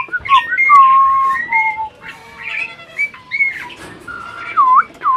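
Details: Adult Asian pied starling that seems to talk, giving a run of clear, level and dipping whistles mixed with short scratchy squeaks, loud at first and then in spaced phrases.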